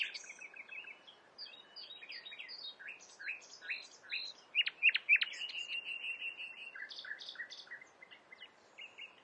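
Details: Common nightingale in full varied song, said to imitate a crowd of other birds: rapid mixed chirps, trills and a few loud sharp clicks tumble over one another above a steady hiss of background noise.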